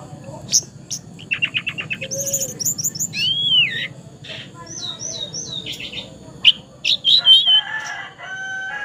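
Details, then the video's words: A juvenile Javan pied starling, still young but already singing fully, gives a busy, varied song of rapid chip series, clear looping whistles and buzzy phrases over a low hum. "Parah masih trotol tapi sudah gacor dor"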